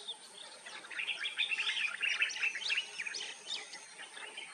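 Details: Singing common myna (Indian myna) gives rapid overlapping chirps, squeaks and chattering notes that build to a louder busy burst midway, then ease into scattered twittering over constant faint hiss.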